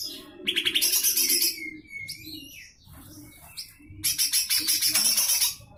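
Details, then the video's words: Lesser green leafbird in full rough 'besetan' song, used for tutoring magpie robins and white-rumped shamas: two long harsh, rapidly pulsed buzzy rattles separated by clear rising whistles and softer notes, with a low hum beneath. "Full besetan kasar suara cucak hijau mini"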